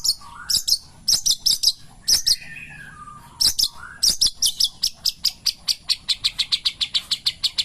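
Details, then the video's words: Pastol song of a long-tailed shrike at morning: scattered harsh doubled notes and short slurred whistles, then a quickening run of high, clipped chirps. "kicauan Burung Cendet Pastol di pagi hari"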